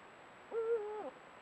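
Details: Eurasian eagle-owl of a pair at sunset, captured by a camera trap: a single rich harmonic call held level for about half a second, then dropping sharply at the end.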